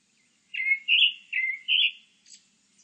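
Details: Four full, mellow whistled notes from a Grey-backed thrush, alternating lower and higher, followed by a faint, short, high-pitched flourish; recorded in 2020.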